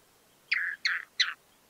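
A Chotoy Spinetail gives three harsh, scratchy notes, each dropping in pitch, spaced about a third of a second apart, against a quiet background.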